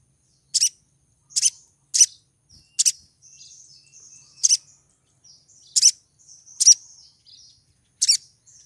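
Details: ['High, sharp chipping from a female crimson sunbird in breeding condition calling for a male, notes coming roughly every second with faint thin twitters between.']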